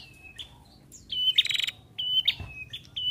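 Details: Female Ashy prinia in lively song, played to stimulate other prinias to call: clear flat whistled notes, each ending in a short downward slur, broken by a quick buzzy rattling burst midway.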